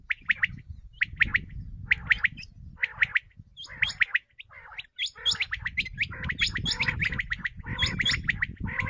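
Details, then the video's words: Common quail giving sharp, liquid three-note calls about once a second, becoming denser and overlapping later, over a low rumbling background; a quail call used as a hunting lure. "Common Quail bulara | shikar k leay batair ki awaz | بٹیر کی آواز شکار کے لیے"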